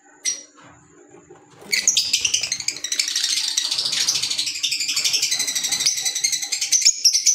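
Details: Green Fischer's lovebirds, African lovebirds kept as pets: a single sharp shrill note, then after a pause a dense, continuous high-pitched chatter of rapid squeaky twitters and chirps that continues to the end, over a faint steady low hum.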